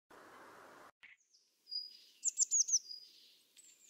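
Eurasian blue tit giving thin, very high notes, then a quick run of four sharp descending chips. A brief burst of rustling noise comes first.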